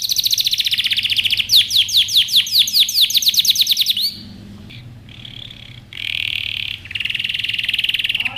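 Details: Yellow canary singing, recorded as a training song for young birds: high, bright rapid trills and fast repeated sweeping notes, then sustained buzzy rolling phrases and a fresh quick trill, over a faint low hum.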